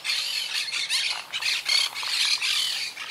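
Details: A wild Quaker parakeet colony, rebuilding since hurricane Irma struck in 2017, keeps up nearly unbroken raspy screeching. Rough, high squawks overlap and follow one another with hardly a pause.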